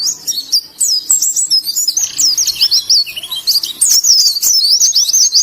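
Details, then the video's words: Ngalas style song of a white-eye, Indonesia: lively high twittering, quick downslurred and upslurred chirps tumbling in bursts with short gaps, faint clicks in the background. "Burung Pleci Ngalas"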